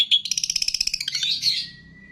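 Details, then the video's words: Short phrase from a long-tailed shrike training song imitating cililin, greja tarung, lovebird, tengkek and kapas tembak: a quick rattle of about fifteen high ticking notes slurring into a fading shrill whistle. "MASTERAN CENDET ISIAN CILILIN, GREJA TARUNG, LOVE BIRD, TENGKEK, KAPAS TEMBAK"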